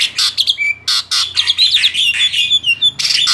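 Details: A male black-winged starling sings steadily, mixing bursts of rasping chatter with clear whistled notes and a drawn-out slurred phrase, in short clustered bouts.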